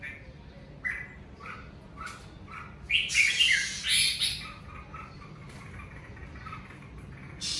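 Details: Natural home singing of a red-whiskered bulbul during the covid season: brief whistled notes repeated about twice a second, broken by a loud scratchy flurry in the middle, then quieter chirps.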